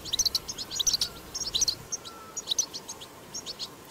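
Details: Wild European goldfinch recorded in nature, a twittering chatter style used to stimulate caged goldfinches to sing: bursts of very high, tinkling, rapid chirps and trills in clustered phrases, with brief pauses between and faint background rustle.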